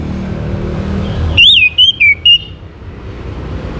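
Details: Orange-headed thrush singing to prompt other birds to join in: one loud whistled phrase, a swooping first note then three short clipped whistles, after a quiet stretch of low background rumble.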